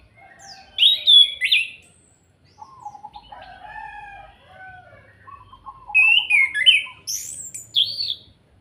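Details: Orange-headed thrush in kretekan style, used to make other birds sing: loud sharp high squeaky bursts alternate with lower warbled and trilled passages over several phrases.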